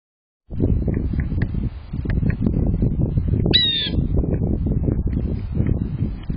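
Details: Blue Jay close up at a bird feeder: a single harsh, nasal call cuts through a steady low wind rumble, with a few faint, short chirps scattered around it.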